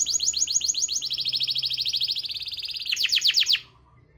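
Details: Song of a canary, played as a lure for birds not singing: separate chirped notes give way to a fast, even trill, then a final burst of louder sweeping notes before falling silent.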